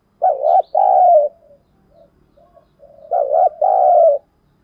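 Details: Spotted dove (cu gáy) working as a lure bird: two loud two-note coo phrases about three seconds apart, each a wavering short note and a long steady coo, with soft low coos in between.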